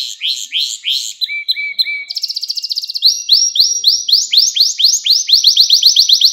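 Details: Pet canary singing: clean, high rolling trills of rapid repeated notes, one lower steady tour of evenly spaced chips, then a long accelerating series of sweeping upward slurs, with no other sounds.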